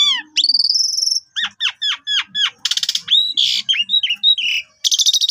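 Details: Asian pied starling song used as a lure for other birds, noted for long phrases and a pumping style: whistled downslurs, a steady high tone, a run of short hooked notes, then harsh buzzy bursts.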